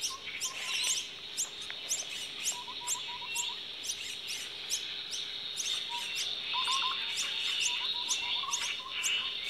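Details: Common myna nest holding chicks: quick, high, clicking chirps repeated roughly once a second throughout, brief low whistled phrases at intervals, and a continuous high-pitched hum in the background.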